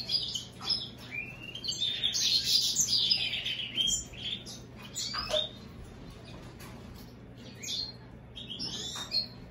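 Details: American goldfinch x European greenfinch hybrid delivering a loud, rich twittered phrase of rapid high notes, then sparser sharp chirps and short rising calls, with a low background hum.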